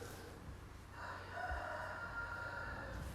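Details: Rooster crowing in the background of a live stream: a faint, drawn-out crow lasting under two seconds, muffled beneath steady low traffic rumble.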